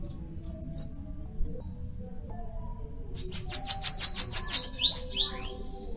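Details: Bananaquit, called cambacica or guriatã: three faint high chips, then a quick run of shrill buzzy notes closing with rising squeaky slurs.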